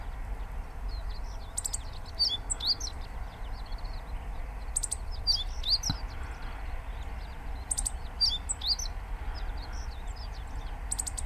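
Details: A Meadow Bunting (Emberiza cioides ciopsis) at Inba-numa Lake, Chiba Prefecture, Japan, gives quick, high, sharp phrases of buzzy clicks and thin notes, repeated about every three seconds over a steady low rumble.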